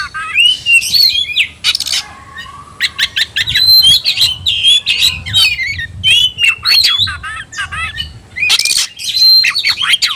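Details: Agitated Oriental magpie-robin, provoked into fighting display, sings long sequences of looping whistles, scratchy chatters and quick sharp notes, hardly pausing, with harsh noisy bursts near the start and end.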